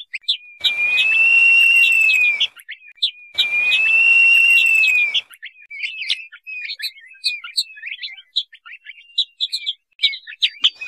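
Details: Two long, level whistles about two seconds each, separated by a brief pause, followed by a scattered series of short high chirps; a crested partridge calling sound used as a lure to attract the species.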